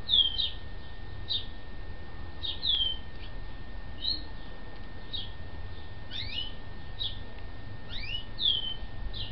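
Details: Recovered yellow-legged gull chicks in a home a few days after arrival: a run of sharp high peeps and short downward-sliding whistles, spaced roughly every half second to second, faint background hum.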